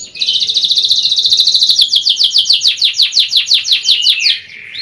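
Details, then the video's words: Young canary lure song: a long rolling trill of quick falling notes, about three per second late in the phrase, fading into a softer lower warble at the end. "PANCINGAN KENARI MUDA PECAH SUARA | KENARI GACOR | CANARY SINGING"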